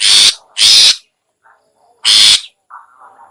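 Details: Long-tailed shrike (pentet) lure call meant to attract other shrikes: two harsh rasping notes close together, a pause, then a third, with faint soft chirps in the gaps.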